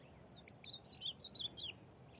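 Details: Ultramarine grosbeak singing in the corujão style in Rio Grande do Norte, exchanging song with a free bird. A quick run of clear whistled notes, rising and falling, that starts softly and grows louder.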